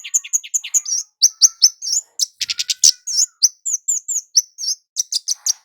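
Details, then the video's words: Javan kemade (flowerpecker) lure for males and females: repeated sharp high chirps and downslurred tsip notes, with a short burst of loud fast trilling near the middle. "Burung kemade jawa gacor PIKAT ampuh buat pancingan cit keres jantan betina agar cepat bunyi ngalas"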